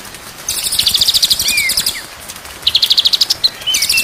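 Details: Training song of a white-rumped shama: two bursts of fast, dry, evenly pulsed high trills separated by short sliding whistles, against constant background noise.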